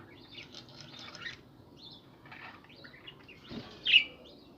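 Budgerigars chatter in soft, scratchy warbles, with one sharper, louder chirp near the end.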